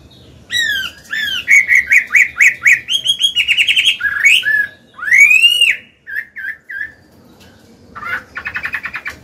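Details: Mature wild-caught Chinese hwamei singing in a forest-style voice, used to train caged birds and stir males: rich whistled phrases with rising sweeps, a fast run of repeated notes, then short clipped notes and a buzzy trill.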